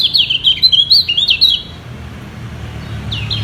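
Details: Kecial kuning, a yellow white-eye, in a singing duel to hold its position at the top; a quick burst of high, twisting chirps lasts about one and a half seconds, followed by a low hum and a brief final note.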